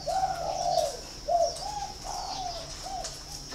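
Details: Kept spotted dove in Ba Vi, Hanoi, Vietnam: a loud long first coo followed by a falling sequence of shorter, softer coos, with faint chirps of other birds in the background.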